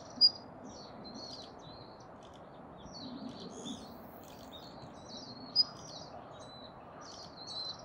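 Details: A series of high, scratchy chirps and twitters from a Daurian redstart at Kasai Rinkai Park, with two sharp whistled notes standing out, near the start and again near the end.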